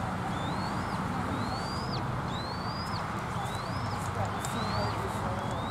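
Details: On 1 April 2023 at a Southwest Florida eagle nest, where male M15 shows fish to fledgling E22, an eagle gives thin, high whistled notes that slide upward, about one each second, over a steady low rumble of wind.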